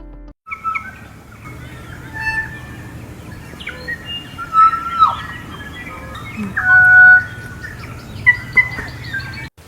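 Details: North Island kōkako (Callaeas wilsoni) song in forest: slow, haunting, drawn-out, bell-like whistled notes, several held steady, spaced through the phrase over a faint low hum.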